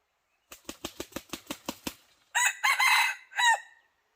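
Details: Decoy red junglefowl, used to lure wild junglefowl that would not approach: a run of about eight quick wing-flapping beats, then a loud, harsh, broken crow in three strained bursts.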